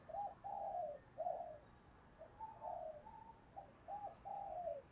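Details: Spotted dove serving as a decoy to bring in wild doves, repeating soft low coos roughly every half second to one second over a constant hiss of background noise.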